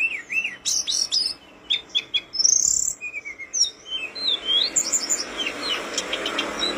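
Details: Mountain flowerpecker (tledekan gunung) tutor song: quick high chips and sharp downslurred whistles, a bright high note near the middle, then scattered twittering phrases.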